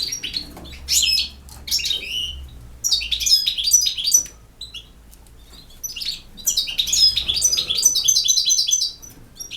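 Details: European goldfinch singing in the campero style: bursts of bright, liquid twittering and tinkling notes mixed with short buzzy trills, broken by brief pauses, high-pitched and fast.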